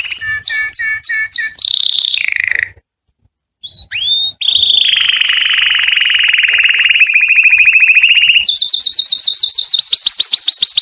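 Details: Canary song aimed at attracting females to mate: a run of repeated bright double notes, a short pause, then a long buzzy trill and a fast series of rising sweeping whistles.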